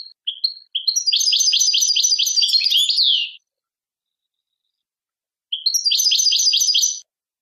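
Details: Goldfinch singing fast, liquid twittered phrases high in pitch, a few short opening chirps leading into a dense burst, a pause, then another twittering burst; no other sounds.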